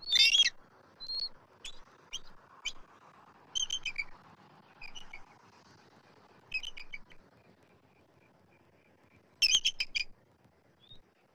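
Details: In Southwest Florida on 3-12-24, adult eagles at the nest tree give high, thin chittering and piping notes in scattered bursts as an immature eagle circles, with a louder squealing outburst near the end, over a faint steady rush.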